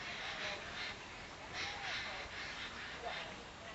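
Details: Rufous treepie in Sinhagad Valley on 31 January 2010 gives harsh, grating bursts about twice a second, with a few thin whistled notes, over a low background hum.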